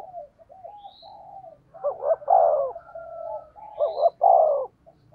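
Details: Luring 'thúc gù' coo of a spotted dove: low hummed notes build into two loud phrases, each a quick rising double hoot and a long descending coo, over a faint low background rumble.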